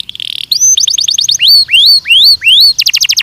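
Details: Belgian canary training song: a brief buzzy burst, a run of quick chips, then four long rising whistled slurs repeated at even intervals, closing with a fast rattle of bright notes.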